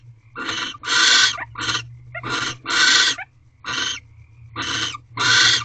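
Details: Pair of barn owls mating in an owl box, early morning of 7 March 2023 at 5:40 am: loud, broad, raspy hissing screeches in uneven bursts, about eight in under six seconds, with a faint steady hum behind.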